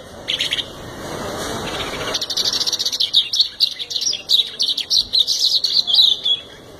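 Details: Full singing by a canary: a soft opening chirp, then a long series of quick high notes rattled out in rhythmic bursts, ending in a faint twitter.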